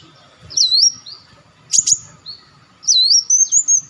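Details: Olive-backed sunbird calls used as a lure: a bright whistled note swooping down then up, a short burst of sharp high chirps, then a longer wavering whistled phrase over a low constant hum.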